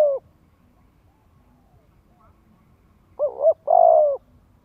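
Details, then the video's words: Spotted dove lure coo aimed at young birds learning to coo: the tail of one note, a quiet gap, then a wavering double note followed by a long falling coo. "Tiếng chim cu gáy Kích Mồi | Kích chim non tập gáy luyện giọng hiệu quả."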